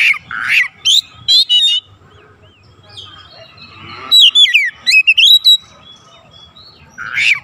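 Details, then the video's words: Oriental magpie-robin song used as a lure recording to spur other birds into full singing. Bright whistled notes and rapid slurred phrases in bursts, separated by quiet gaps, then a long varied run of rising and falling whistles. "PANCINGAN KACER LEBIH CEPAT REAKSI GACOR BONGKAR ISIAN"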